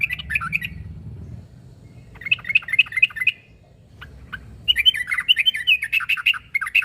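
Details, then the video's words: Sooty-headed bulbul (trucuk) calling to challenge a rival, which draws replies from other bulbuls: three bursts of bubbly, chirpy notes with a pause after the first. The final burst is the loudest and busiest, over a low background rumble. "Suara burung trucuk narung memangil lawan.bikin nyaut semua burung trucuk"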